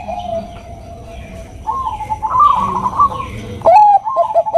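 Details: Bangkok-type zebra dove, a female calling to the male with the nutut sound; faint distant cooing builds into trilling, then loud clipped coos repeated at the end.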